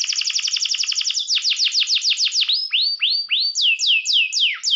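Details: Canary singing to provoke rivals: a rapid run of high descending slurs, slowing into separate loud swoops, then upturned whistled notes and repeated falling sweeps, each about half a second apart.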